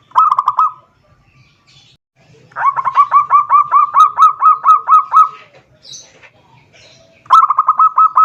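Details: Zebra dove song used to lure a rival: a short bubbling burst, then a long even run of about fifteen soft, ringing coos at a steady beat, followed by another quick burst.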